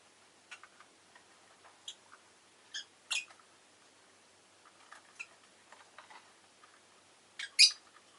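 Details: Rosy-faced lovebird, an orange bird recorded shortly before its death, giving scattered short high chirps and clicks, with a louder sharp chirp burst near the end; faint town background noise.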